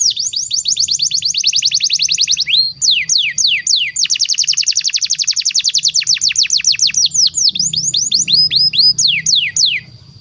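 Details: Canary master song for tutoring young birds, alternating rapid rolling trills and slower downward-sliding whistles in varied tours, with faint low hum.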